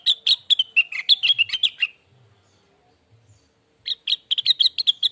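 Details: Soothing lure and tutor song of the lesser green leafbird: a dense, varied twittering phrase lasting about two seconds, a pause, then a second quick burst of sharp chirps.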